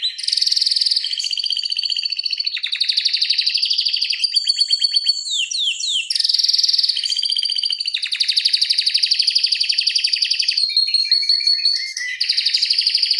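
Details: Long, tightly paced rolling canary song used as a tutor recording: continuous rapid trills at shifting pitches with brief whistled phrases and sweeps, hardly pausing throughout.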